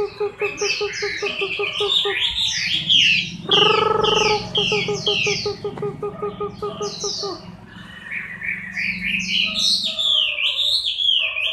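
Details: Chinese hwamei during its moult in October 2015, delivering a varied stream of fast, slurred whistles and sharp notes in quick succession, with a brief harsh burst partway through and a low background hum.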